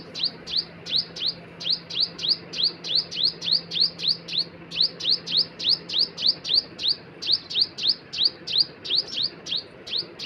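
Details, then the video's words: Rapid high chip notes from a bird, each a brief falling tick, repeated around three per second for ten seconds against a low background hum. "Birds sound"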